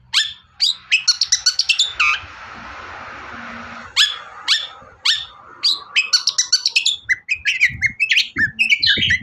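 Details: Long-tailed shrike song used to draw other shrikes into singing: rapid scratchy chips and whistles, broken by about two seconds of hissing noise, then dense chattering phrases with faint low thumps.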